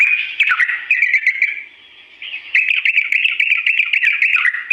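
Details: Long, slow-toned Sooty-headed bulbul song played to get birds imitating quickly: warbling runs with quick downward slurs, a brief near-silent pause in the middle, then a return to chattering, evenly pulsed phrases.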